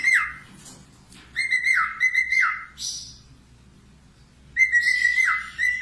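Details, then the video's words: Budgerigar warbling, recorded as training material for cockatiels: steady whistled notes that end in downward slurs, with buzzy overtones, in three bursts separated by quiet gaps, with a low indoor hum underneath. "COCOK UNTUK MASTERAN COCKATIEL LATIH SUARA PARKIT AUSTRALIA"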